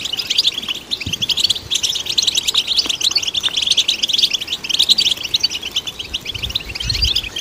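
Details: European goldfinch song used to stimulate other goldfinches, an unbroken stream of quick tinkling chirps and buzzy trills, steady and high-pitched for the whole stretch.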